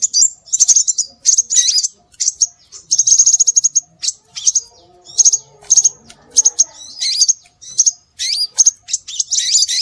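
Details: Scarlet minivet calling, played as a lure for birds: continuous high, thin whistles and chirps, with a rapid trill near the start and frequent slurred, rising notes.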